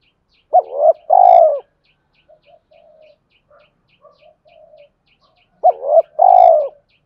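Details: Male spotted dove cooing to spur fighting and attract a mate: two double-hoot-and-long-coo phrases about five seconds apart, with faint quiet coos and a steady soft ticking in between.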